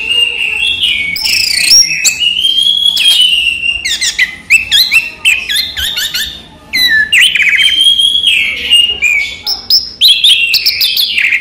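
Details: Kept orange-headed thrush, locally anis merah, singing by day: long series of clear upslurred whistles and scratchy trilled phrases, repeated in loud bursts with a short lull midway.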